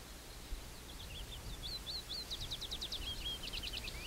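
Little Bunting song: a quick run of thin, high chirping notes that speeds into a short buzzy trill, over a low background rumble.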